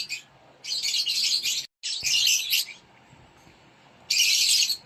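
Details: Feeding time for rosy-faced lovebird chicks in a nest box: sustained rough raspy hissing for about a second, a second burst after a brief break, then quiet before another.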